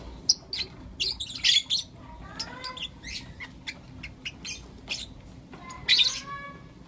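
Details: Blue opaline and lutino opaline lovebirds calling in the morning; bursts of shrill, harsh chirps mixed with short descending whistled notes, spaced irregularly.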